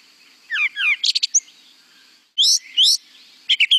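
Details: Brown Thrasher song played back in a birdsong identification lesson, a species said to repeat each phrase twice: loud, varied buzzy and whistled phrases, several paired, separated by short pauses, over faint steady background hiss.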